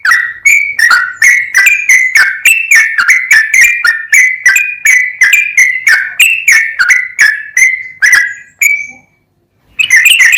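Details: Rapid-fire 'full ropel' song of a sooty-headed bulbul: ringing whistled notes with click-like attacks, delivered about three a second for eight seconds, then a short silence before the song resumes.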